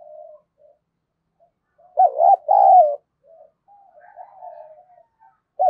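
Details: Lure spotted dove in the 'đồng pha' style, calling to incite wild doves to fight. One loud doubled coo phrase is followed by faint, wandering low notes, then another phrase begins at the end.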